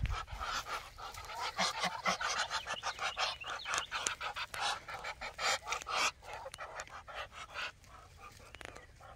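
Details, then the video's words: Muscovy ducks "talking" with breathy, hoarse hisses and puffs in quick irregular bursts, about two a second, over faint outdoor background noise. "Muscovy Ducks Talking"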